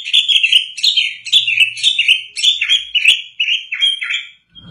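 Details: White-rumped shama after moulting, singing steadily: bright whistled phrases repeated roughly every half second, each with a slurred downward or upward turn, ending in a short lone whistle.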